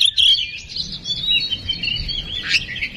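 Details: Oriental magpie-robin song played as a lure to rouse another bird into singing: a continuous, dense jumble of high, scratchy warbles and chattering notes with no pauses over three seconds.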